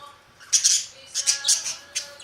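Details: Budgerigar chattering in quick, harsh, high bursts, three tight clusters of scratchy chirps within two seconds, over a faint steady hum.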